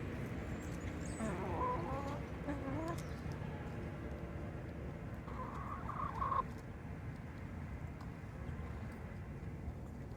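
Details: Chickens outdoors on a cool sunny day; a few short wavering clucks early on, then a louder rising squawky call around six seconds, over low rumbling background noise.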